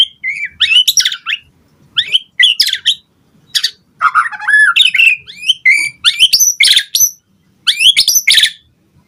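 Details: White-rumped shama singing to provoke a reply from other birds: varied harsh and whistled phrases, dense chattering bursts mixed with slurred notes, in several outbursts.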